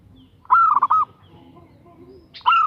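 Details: Zebra dove hen calling to a male, giving a fast, warbled run of looped cooing notes, then starting another burst after a short quiet pause.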